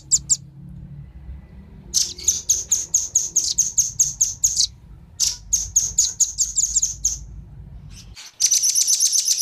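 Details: Velvet-fronted nuthatch pair, male and female, calling as a lure for wild birds. Bursts of bright, high, evenly spaced chip notes are broken by pauses, and a rapid rattling trill comes at the end.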